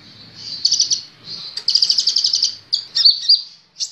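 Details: High-pitched song of a sunbird (kolibri ninja) kept in a cage, recorded as a training aid: a buzzy, sizzling trill swelling and fading, then sharp rising squeaks and another short trill.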